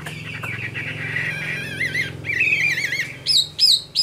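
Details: Caged Chinese hwamei, an adult caught from the wild, delivers a long wavering trilled whistle, then undulating warbles and three loud rising whistled notes, with a low hum underneath.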